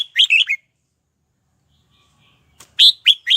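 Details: Red-whiskered bulbul kept as a lure bird to provoke wild birds into fighting; a quick warbled phrase of three notes, a pause of two seconds, then another burst of sharp, loud whistled notes.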